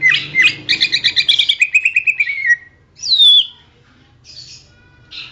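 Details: Greater green leafbird singing for songbird training: a rapid run of about a dozen bright chirping notes sliding gradually lower, then one sharp high downslurred whistle and soft rasping hisses afterward.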